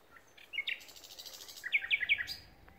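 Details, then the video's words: Common nightingale singing at Pulborough Brooks RSPB: a short phrase of a few scattered notes, then a rapid series of about five bright, sharp chirps around two to four kilohertz. "nightingale song"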